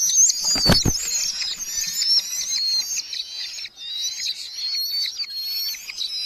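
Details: Red-footed falcons at a nest box in a large breeding colony in Hungary, July 2025, with chicks growing and parents bringing beetles; high, wavering whistled calls overlap almost continuously, with a brief low thump near the start.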